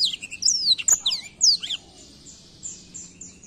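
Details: Black-throat song: a quick run of high, slurred whistles and chirps in the first two seconds, then fading into softer, thin high notes.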